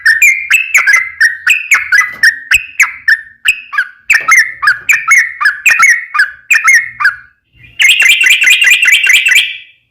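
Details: Sooty-headed bulbul song meant as a lure to make other bulbuls sing: long runs of repeated falling two-part notes with clicky onsets, ending in a fast, buzzy rattle of quick notes.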